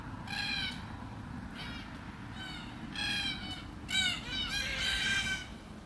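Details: Red-tailed black cockatoo in Australia, feeding on beach almond seeds, giving harsh, rasping, rolling calls rich in overtones, about six in quick succession, each under a second long, some overlapping, over a steady low background rumble.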